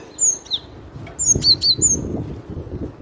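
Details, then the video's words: Cinereous tit singing loudly, with clear high down-slurred whistles repeated in quick pairs and triplets, plus soft low rustling underneath. "Suara lantang burung glatik batu"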